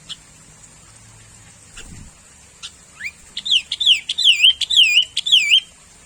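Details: Sooty-headed bulbul, an easily found bird, starting with a few isolated chirps, then a lively string of wavy, warbled whistles about twice a second, with a thud partway through and a steady background hiss.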